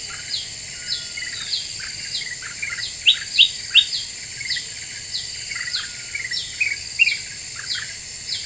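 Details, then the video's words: Black-winged bulbul lure song meant to provoke other birds: a quick run of three bright sharp chirps amid regularly repeated high downslurred whistles and lower short buzzy notes. "Suara Pikat Kutilang Emas Super Gacor,,Bikin Burung Lain Pada Emosi"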